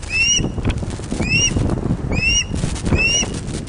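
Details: Four clear bursts of ringing, upward-curving whistles from ospreys on a webcammed nest at Loch of the Lowes, Scotland, 31 August 2013, 16:39, while a large fish arrives. Low wind buffeting runs beneath.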